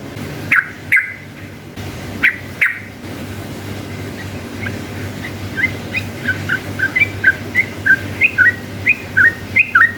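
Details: Yellow-vented bulbul in energetic, long rapid song used as a lure to make other bulbuls answer; short slurred two-note whistled phrases, some rising and some dipping, repeated roughly every half second, with low background hum.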